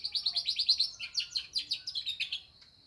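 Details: Canary in full song with lovebird phrases delivers a fast energetic burst of bright chirps and twittering trills for over two seconds, then stops, leaving a faint high whine.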